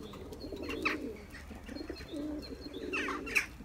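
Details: Courting Turkish tumbler pigeons coo in soft, muffled rolls, broken by sharp clicks and brief squeaks close by.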